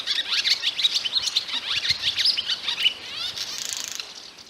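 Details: Barn swallow song: a quick, high twittering warble of rapid chirps and slurred notes, ending in a brief dry, buzzy rattle, with nothing else heard.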